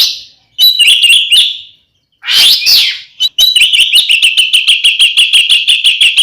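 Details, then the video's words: Oriental magpie-robin fighting song meant to provoke and anger other magpie-robins: a short whistled phrase, a harsh rasping burst, then a fast train of clipped whistled notes repeated steadily several times a second. "SUARA BURUNG kacer gacor NGEPLONG TARUNG ini paling AMPUH buat PANCINGAN KACER agar EMOSI"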